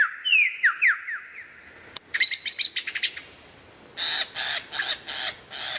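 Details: Lyrebird song with varied mimicry: quick downslurred whistles, a sharp click, a burst of rapid chirping notes, then four or five harsh, broadband rasping bursts in a row.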